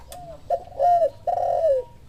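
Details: In response to a lure call, a spotted dove coos a brief clipped note followed by two loud, throaty, falling coos.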